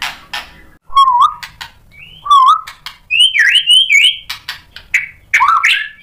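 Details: White-rumped shama singing to provoke rivals: separate rich whistled phrases, rising and falling, with sharp clicks between them.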